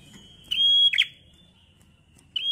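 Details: Bar-winged prinia singing gacor ngalun fighter style to prompt other prinias: one sustained piercing whistle capped by a harsh dropping buzz, then a fresh whistle starting, over faint low rumble.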